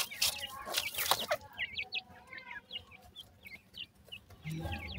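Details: Feeding grey francolin chicks: after a second of loud rustling and knocks, high, short, sharply rising and falling peeps follow in loose, irregular bursts, with a low hum underneath.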